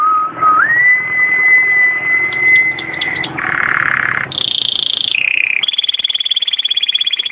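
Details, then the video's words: Canary singing, Belgian or native 'da terra': a pure whistled tone that rises and holds, followed by buzzy rolls stepping between pitches and a rapid pulsed trill at the end. "Canários Belga e da terra excelentes cantos"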